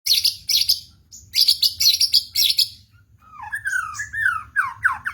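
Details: White-rumped shama singing with full emotion: loud, harsh buzzy bursts repeated in quick rattling phrases, then a pause and a run of clear whistled notes sliding down and up in pitch, in a quiet setting.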